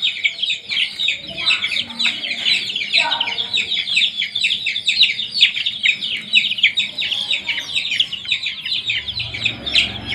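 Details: A group of new domestic chicks reared with provided heat; a steady chorus of rapid, high, downward-slurred peeps from many birds overlapping, with a few lower clucking sounds and faint background noise.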